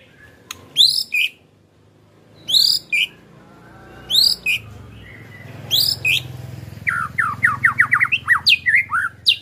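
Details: White-rumped shama song used to spur a caged bird into singing: short loud high swept phrases spaced about every two seconds, ending in a quick series of repeated downslurred notes.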